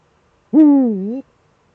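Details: One Eurasian eagle-owl call from a duet, male at the nest, Eifel, 13 December 2013 at 17:25: a clear, rich, slightly falling then rising hoot lasting under a second, in silence.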